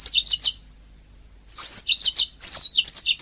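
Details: Canary song kept as a master recording for training other songbirds: bursts of quick high chirps and sweeping whistled notes, a pause of about a second, then denser rapid twittering phrases with downward-slurred whistles.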